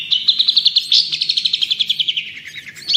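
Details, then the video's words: Long-tailed shrike singing tutor song for training other birds: rapid regular stream of sharp chirped notes, nearly three per second, with a brief rising flourish midway and a final upward note. "Masteran Dan Pancingan Burung Cendet/Pentet"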